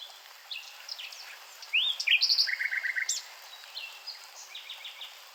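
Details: Nightingale song: a loud rising whistle followed by a run of four or five identical stuttered notes, then softer varied chips and a short series of repeated notes near the end.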